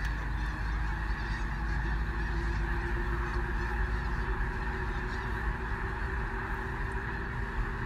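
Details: Sandhill cranes taking flight in early March near Gibbon, Nebraska; a continuous wall of overlapping rattling calls from many birds, with strong low-frequency rumble from wind or a vehicle underneath.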